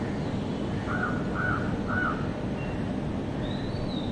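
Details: Myna recorded April 24, 2023, giving three short, arched mid-pitched notes about half a second apart, then a thin high whistle, over a steady low rumble of traffic.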